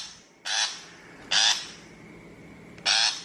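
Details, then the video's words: Three short, grating, scratchy shrike notes spaced about a second apart, from a recording meant as a trapping lure played through a speaker, with a thin constant whine behind. "Tiếng chim bách thanh chuẩn mp3 cho loa bẫy 2023"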